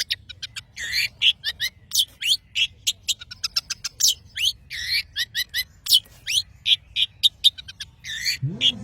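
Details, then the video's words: Long-tailed shrike from Madura singing vigorously (gacor): a rapid, restless run of short sharp chirps, buzzy notes and whistled slurs, delivered in dense bursts with brief gaps, ending with a low murmur. "CENDET Pentet MADURA GACOR"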